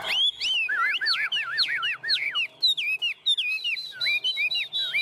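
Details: Chinese hwamei, a tame bird singing perched on a hand ('ôm cống'): rapid warbled loops, then clear rising and falling whistles spaced slightly apart.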